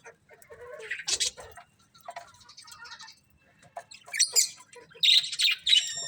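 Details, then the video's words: Chattering colourful budgies: irregular high chirps and squeaky warbles, sparse at first, then denser with bright, clipped notes toward the end. "Beautiful Colourful Budgies Chirping Sounds"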